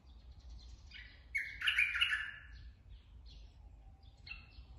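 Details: Straw-headed bulbul, a forest-caught adult: a short fluty phrase leads into a loud, rich, gurgling outburst, followed by a few softer, spaced whistled notes; faint low rumble underneath.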